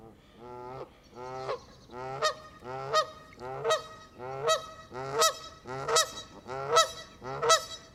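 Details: Canada geese in a flock feeding on green grass at the water's edge, recorded up close with the camera in their midst; loud harmonic honks repeated roughly every three-quarters of a second, rising in strength through the clip.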